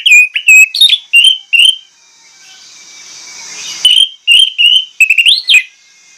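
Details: Orange-headed thrush singing loudly: a series of sharp, high whistled notes, several sliding up or down, delivered in quick bursts, then a pause filled with a rising hiss before another energetic run.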